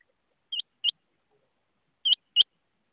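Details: Rain quail voice: two quick high, metallic notes, a pause of over a second, then an identical pair; clear and isolated.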